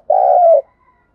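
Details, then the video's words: Spotted dove decoy cooing, used to provoke and train newly caught wild doves to call quickly: one low, smooth coo of about half a second, steady and slightly wavering, in a quiet setting. "Tiếng chim cu gáy kích bổi nhanh nổi, Tiếng cu gáy mồi thúc luyện bổi"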